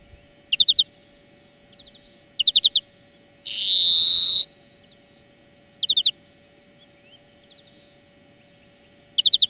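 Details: European greenfinch singing in a bird-training lesson: brief twittering trill bursts spaced a couple of seconds apart, broken by one loud buzzy wheeze midway.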